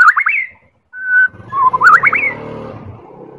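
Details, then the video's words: Medan-type white-rumped shama singing a lure song meant to set other birds singing: two loud quick upslurred whistle bursts around a held flat whistle, over a low hum and background rumble. "Real Pancingan Murai Batu Medan"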